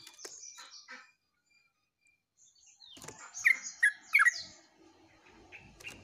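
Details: Yellow-vented bulbul in active song, recorded 29/08/24. High thin twitters and a quiet gap precede a burst of loud, liquid, bubbly notes, then softer chatter with low background rustling.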